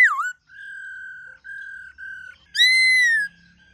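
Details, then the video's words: White-cheeked laughingthrush with wild-type song: a swooping note, three long, flat whistles at an even pitch, then a strong, bright whistle that holds steady and fades. "Khướu Hót GIỌNG RẤT HAY- NHIỀU GIỌNG.giọng rừng"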